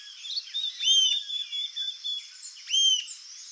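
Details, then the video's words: Two sharp, ringing whistles from a rufous-tailed jacamar (Galbula ruficauda), nearly two seconds apart, against a continuous shrill insect background and faint bird chirps. "CANTO da ARIRAMBA-DE-CAUDA-RUIVA (GALBULA RUFICAUDA), RUFOUS-TAILED JACAMAR"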